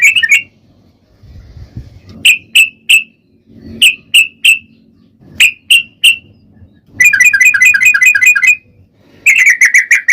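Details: Sooty-headed bulbul lure song meant to make other bulbuls sing: short groups of three clear whistled notes separated by pauses, followed by a dense, rapid trilling burst of bubbly notes, then another quick run.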